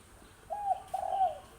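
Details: Wild young spotted dove, six months old, cooing: two mid-pitched, slightly rough coo notes, the second longer and wavering, over a steady background hiss.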